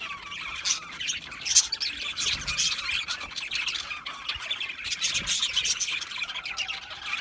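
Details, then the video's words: Several budgerigars chirping together: a dense, continuous chatter of scratchy high chirps and squawks, with brief louder bursts near the start and a busy stretch toward the end. "Cute Budgies chirping Sounds | Budgies relaxing Sounds | Budgies parrots Sounds"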